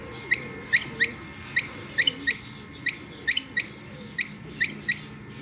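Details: Female rain quail producing a series of short, piercing chirps, often doubled, repeated roughly every half second over a soft steady hum.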